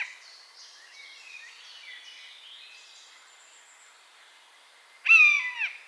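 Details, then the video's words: Buzzard in its natural habitat giving one loud, falling mewing cry near the end, with a slight waver in the middle. Faint twittering from small birds fills the seconds before it. "Buzzard Sound | Hear the Wild Call of a Majestic Bird of Prey"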